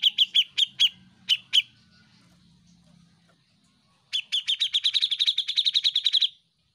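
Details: Grey-cheeked bulbul, a master recording for teaching caged songbirds, singing actively: short bursts of sharp notes, then after a pause a fast run of about twenty clear chirps at an even high pitch.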